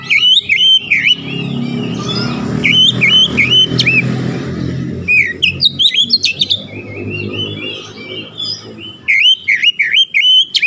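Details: Oriental magpie-robin (kacer), a stressed bird, singing busy, varied song: loud whistled notes and rapid downslurred phrases in bursts, with low rumbling background noise through the first half.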